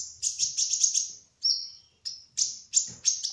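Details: Speckled 'trotol' kolibri ninja sunbird in 'gacor ngerol' song: a fast trill of very high chirps, a short pause, then single sharp whistled notes repeated about every third of a second.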